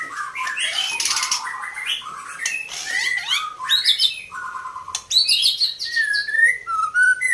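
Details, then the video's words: Fighter-type female white-rumped shama in full varied song: rich mid-pitched whistles, harsh rasping bursts and fast rattling runs, ending in clear drawn-out whistled notes. "induk MURAI BATU fighter"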